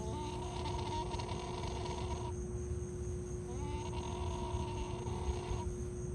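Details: Yellow-crowned night heron, apparently unhappy at being filmed, gives two drawn-out, nasal, bleating calls, each about two seconds long, over a steady low hum and rumbling background noise.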